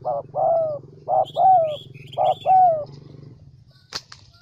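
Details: ['Central Highlands decoy spotted dove repeating a soft short-long coo three times, each pair about a second apart, then a sharp click amid light chirps of other birds and a low background hum.']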